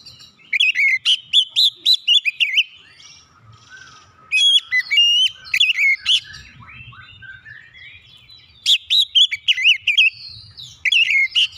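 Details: Shama song intended to make other shamas sing: three long bursts of fast, repeated whistled and warbled notes, separated by softer twittering passages.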